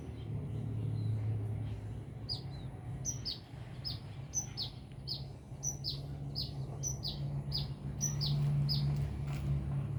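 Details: Energetic sunbird song recorded in Binjai: a brisk series of thin, high, downslurred chirps, nearly three per second, with a constant faint high whine and heavy low hum beneath.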